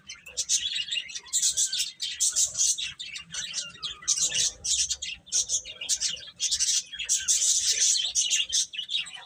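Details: Baby chickens chirping: a busy chorus of high, thin peeps from several chicks, bursts overlapping almost continuously with brief gaps.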